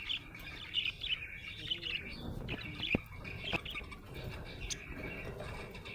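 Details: Happy budgerigar chirping in a lively run of high, buzzy warbles and sharp little clicks, louder bursts coming every second or so, then easing into softer chatter.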